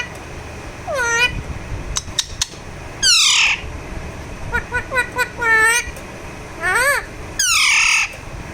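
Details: During a massage, a pet Alexandrine parakeet gives a mix of harsh, downward-sliding squawks and quick clusters of short chirps, with loud screeches recurring irregularly through the clip.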